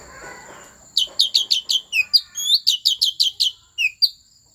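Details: Loud Asian fairy-bluebird song from the Central Highlands forest, Vietnam, used to rouse other birds: after a second of quiet, a string of about fifteen crisp, upward-swept whistled notes, some dropping lower toward the end.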